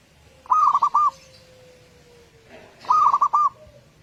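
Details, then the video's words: Zebra dove of a local strain singing, used as a morning lure for other doves: two phrases of quick, staccato cooing notes about two and a half seconds apart, with a faint low tone between them. "Pancingan suara burung perkutut lokal"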